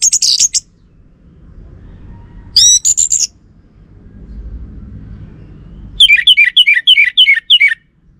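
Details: Lure song of an orange-headed thrush, meant to provoke a reply from males: brief high warbled phrases separated by pauses, ending in a rapid series of about eight sharp descending chirps, with soft background rumble.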